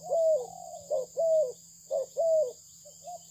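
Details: Malaysian-bred spotted dove singing soft, mellow coos, each short note followed by a drawn-out descending coo, about three phrases in quick succession, with a constant thin electronic hum behind.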